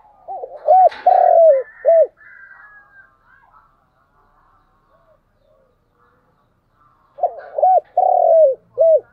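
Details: Spotted dove used as a decoy, calling in the morning to lure wild doves nearby: two low, hollow cooing phrases, each a quick double coo, a drawn-out falling croon and a short final coo, with a quiet pause between and faint background rustle.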